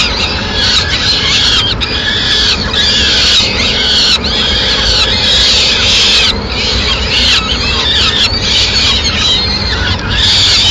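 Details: Madrid, 29 April 2016, a peregrine falcon mother bringing food to her chicks: repeated bursts of harsh high squeals, each a cluster of bending wails about a second long, separated by short pauses, with low rumble beneath.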